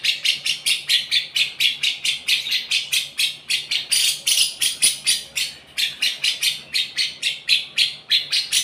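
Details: Lovebird singing cucak jenggot-style: an unbroken stream of loud, harsh, buzzy chips repeated about three times a second, sustained and rhythmic throughout.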